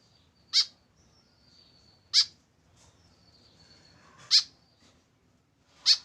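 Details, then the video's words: White-breasted woodswallow, a tame bird calling alone without a companion: four loud, piercing, high notes at irregular gaps of about two seconds, with faint thin whistles between them. "KESEDIHAN BURUNG KEKEP BABI TANPA TEMAN"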